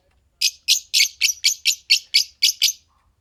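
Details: Fischer's lovebird pair, green, giving ten rasping, shrill chirps in steady succession, roughly four a second, against a quiet background.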